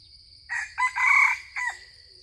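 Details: Loud, harsh crowing by a yellowish junglefowl attracted to a decoy, in four segments with the longest in the middle and a brief clipped finish. A continuous shrill insect chorus runs underneath.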